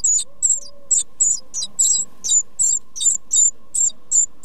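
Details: Tit nestlings in a nest box during their first two weeks of life, calling in high, thin squeaks in a steady series of short bursts, about a dozen in four seconds, over a faint low hum.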